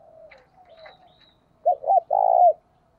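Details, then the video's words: Spotted dove cooing in the thúc and gáy gọi calling styles, used as a lure bird. Faint soft coos open, then one loud phrase: two short clipped notes and a long rolling coo, with no closing note. "Tiếng cu gáy cực hay THÚC và GÁY GỌI mới nhất, mở là gáy"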